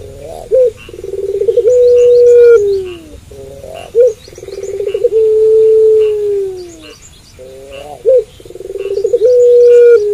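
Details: At night a puter pelung dove keeps up its cooing. Several low cycles follow one another, each a brief upward note, a throbbing roll and a drawn-out even tone that sags downward, over faint high chirping.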